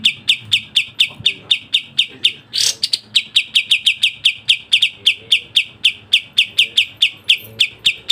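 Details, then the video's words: Sooty-headed bulbul in a fast, close-set varied song for training other birds: a long unbroken series of sharp, bright chirps about four per second, briefly interrupted near the middle by a louder rushing burst, then resuming evenly. "Masteran Burung Kapas Tembak Speed rapat Suara Variasi"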